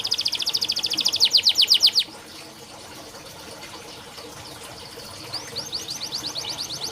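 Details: Canary training song: a loud rapid trill of descending notes for two seconds, a near-silent gap, then a softer series of quick slurred whistles.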